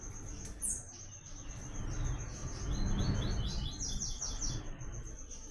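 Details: Coleiro delivering the sought-after 'Tui Tui' melodic song as a training reference: a cadenced run of quick, high downslurred notes in mid-clip, set against a continuous thin high tone and low rumbling noise.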